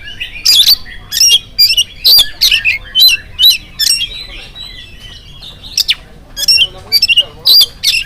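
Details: Oriental magpie-robin morning song, intended to set other magpie-robins singing. A rapid chain of loud, buzzy, whistled bursts repeats about twice a second, with a brief softer warble in the middle.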